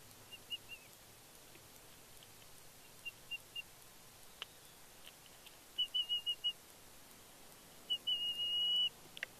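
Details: A young bald eagle on her fledge day at Big Bear, 31 May 2022, calls excitedly as the male parent brings a fish. Sparse high notes build into quick chittering runs and end in a drawn-out squealing note.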